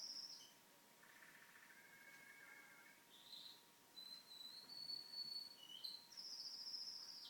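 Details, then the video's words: Pet canary singing at home during TV time; a high whistled note, then a rolling mid-pitched trill, followed by gliding whistles and a fast bright high trill that closes the phrase. "Canary making beautiful sounds"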